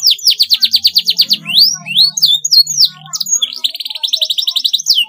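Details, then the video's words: Canary song offered for young canaries learning to sing: a rapid rolled trill of high repeated notes, then sweeping rising whistles, ending in a fast buzzy trill, with a faint low hum beneath. "paud kenari belajar bunyi cocok sekali di pancing suara ini"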